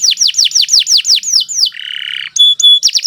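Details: Canary, Kenari Nusantara type, in long, continuous tutor song: a rapid chain of bright falling whistles, a brief low buzzy rattle, two clear pure whistled notes, then more quick falling whistles.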